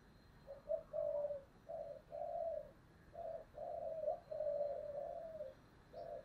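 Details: Spotted dove decoy bird in the tense 'giọng thổ' style. A steady run of mellow coos, some short and some drawn out, repeats over a constant background hiss.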